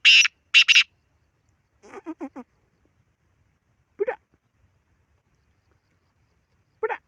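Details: Two loud, harsh rasping Black francolin notes open, followed by a short run of four clipped descending notes, then two isolated low notes spaced several seconds apart.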